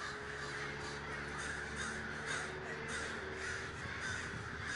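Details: Large gathering of crows in Davis, California, cawing en masse in a thick, continuous chorus, accompanied by a steady low mechanical hum.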